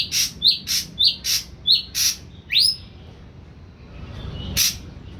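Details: Captive young Ashy drongo, kept three weeks on an all-pellet diet and beginning to vocalize, gives a quick run of clipped, bright notes with small downward hooks, then one upswept whistle-like note, a pause, and a final lone note.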